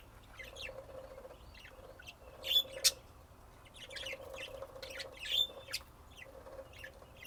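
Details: Budgerigar song: scattered chirps and warbled notes, with a few louder sharp whistles standing out over a constant low hum.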